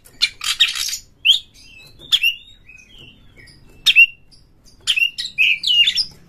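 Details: Oriental magpie-robin fast song for provoking other magpie-robins to sing: a harsh rasping burst, then spaced clear whistled notes and short slurs, ending in a quick warbled phrase.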